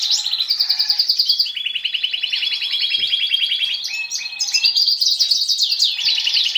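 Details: Male European goldfinch in strong breeding condition, a captive bird that has mated with canaries, singing a rapid high twittering song of buzzy trills and chirps in quick succession, switching phrases every second or so.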